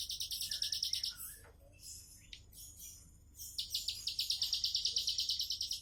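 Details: Bar-winged prinia singing: fast series of sharp, high buzzy notes repeated in rapid rhythmic bursts, a pause with scattered chirps, then the buzzy series resumes.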